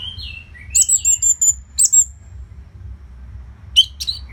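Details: Continuous training song of an orange-headed thrush for fighter birds: a falling warble, then a string of thin, very high piercing whistles, and after a quiet gap two short sharp notes.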